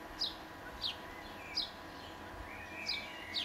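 Italian sparrow giving short, high, downslurred chirps at uneven intervals, about five in three seconds, over a steady outdoor hiss.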